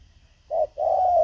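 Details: Spotted dove decoy calling to lure wild doves; a short low coo followed by a longer, steady, mellow coo, with faint background hum.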